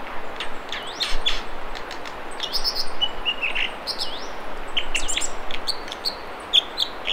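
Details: A wild American dipper at the Mamquam River spawning channels near Squamish, B.C., sings a string of sharp high whistles, looping slurred notes and short trills, with constant rushing river noise behind.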